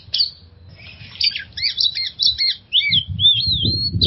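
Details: Oriental magpie-robin song meant to prompt stressed birds to sing; scratchy chattering notes give way to paired whistles and a long wavering warbled whistle, with low thumping noise in the final second.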